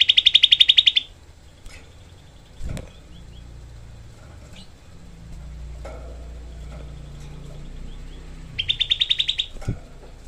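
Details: Tutor recording of a Grey-cheeked bulbul for training songbirds. A dense, rough 'tembakan' rattle opens the clip and a second one closes it, with a low vehicle rumble and faint clicks in between.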